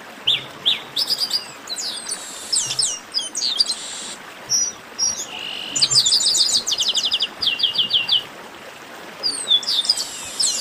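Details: Rowdy group song of Chestnut-capped blackbirds, called baderna, with rapid high chips, downslurred whistles and fast trills that overlap in a dense, busy chorus.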